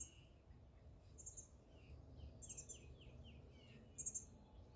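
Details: Indigo bunting song at Admiral Trost Park on 14 June 2023: a run of quick, down-slurred whistled notes, with sharp high ticks repeated three times, over low rumbling background noise.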